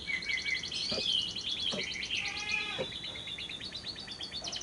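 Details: Lovebird lure recording with long trill (ngekek) meant to prompt singing day or night: dense high chattering trills with squeaky sweeping notes and a few clicks underneath.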